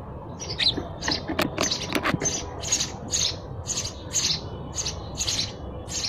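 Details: Sparrow chirping loudly: insistent, evenly spaced high chirps about twice a second, with a few rapid clicking notes near the start, over faint low noise.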